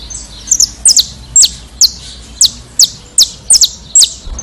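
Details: Brazilian saffron finch song: a steady run of bright, high notes sweeping downward, often in pairs, repeated roughly every half second against a quiet background.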